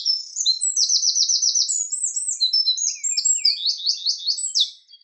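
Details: Eurasian wren singing a loud, rapid, high-pitched song: a tumbling outburst of sharp notes and fast rattling trills, with a second trill-laden phrase following after a brief squeaky interlude, all clean with no other sounds.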